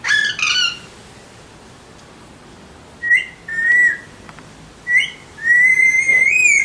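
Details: Alexandrine parakeets: two harsh squawks, then drawn-out whistles, the last a long gently rising whistle lasting over a second.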